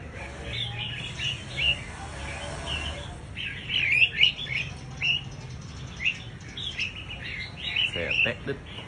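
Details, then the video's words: Scarlet-backed flowerpecker lure call with continuous high twittering, punctuated by sharper, louder chirps roughly every second in the second half, above a faint low hum. "Suara Pancing Burung Cabean merah | Burung Cabai Merah | Sepah Puteri | Chirp of Birds"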